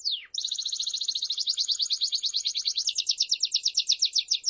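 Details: Belgian canary song starting with a single falling whistle, followed by a long, fast, even trill of high chirped notes that grows slightly louder and more spaced toward the end.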